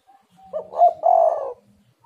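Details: Spotted dove cooing, played to lure other doves into calling; a single low hollow phrase of a soft short opener, a stressed middle note and a long drawn-out final coo lasting about a second.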